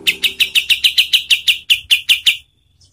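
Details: Kapas tembak song used as training material for competition songbirds: a fast run of about fourteen sharp, bright chip notes, evenly spaced and slightly slowing, then an abrupt stop with near silence.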